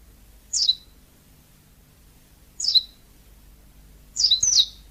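Yellow-fronted canary giving high, sharply falling chirps spaced about two seconds apart, the last one doubled; otherwise quiet with a faint low hum.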